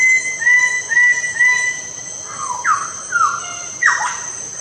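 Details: Lesser bird-of-paradise calling: short level notes repeated in quick pairs, then louder harsh, downslurred squawks sliding from high to lower pitch, with a steady high hiss in the background.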